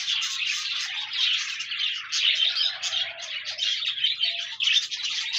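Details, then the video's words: Pet parakeets chatter to encourage a lonely budgie to sing, producing a thick stream of shrill chirps, rasps and rolling warbles that rises and falls in loudness without a break. "No more lonely budgies. Pet parakeets encourage your bird to sing"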